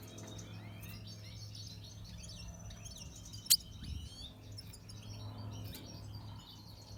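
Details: Red siskin of the natural pastel colour form singing a continuous, high, thin twittering warble of quick rising and falling notes, with one sharp click midway and a low background hum.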